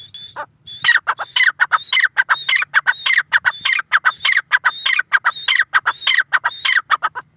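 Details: Grey francolin (teetar) calling loud and close: a fast series of harsh, ringing notes mixed with clear whistled high tones, about two notes per second, running without a break for seven seconds over a quiet background.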